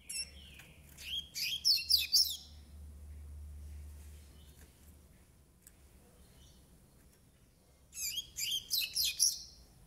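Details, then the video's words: Nine-month-old Double-collared Seedeater, brownish (pardo) plumage, singing two short bursts of rapid, high, buzzy twittering notes about six seconds apart, with quiet low hum between phrases. "COLEIRO PARDO DE 9 MESES"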